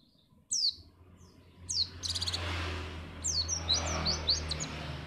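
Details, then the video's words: Pacitan white-eye used to spur contest birds into song: scattered high, quick downslurred chirps, sparse at first and then clustered, over a steady low hum and background hiss. "pleci ini bisa membuat burung mu gacor"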